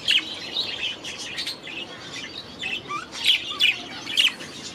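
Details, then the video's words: Budgerigars in an aviary, several birds calling together: dense high chirps and squeaky warbling notes in quick irregular bursts, with louder sharp chirps near the start and end. "6 Hours of Budgies in their Aviary"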